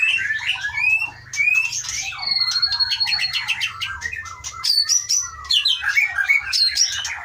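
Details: Captive Aceh white-rumped shama, caught in 2012 in the Pining forest of the Leuser mountains and kept in a breeding aviary since 2017, singing a loud, varied song of sliding whistles, quick chatters and long high notes.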